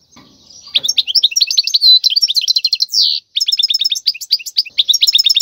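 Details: A wild European goldfinch sings a song used to train young birds: continuous bright twittering, a drawn-out buzzy note, a brief break, then rapid repeated chip-like notes.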